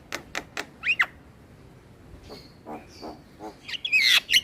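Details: Black-winged starling song with head bobbing: three quick clicks, a falling squeaky whistle, faint scattered notes, then a loud harsh burst of squealing whistles at the end.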